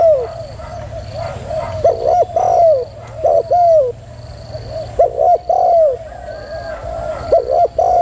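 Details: A female spotted dove gives a run of coos: short doubled notes and drawn-out falling coos, repeated in several phrases about a second apart, with a soft continuous hum underneath.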